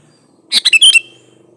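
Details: Sooty-headed bulbul lure song, original and free of added birdsong, for drawing other bulbuls into singing: a compact burst of five bubbly, chattering whistles, over a faint low background hum.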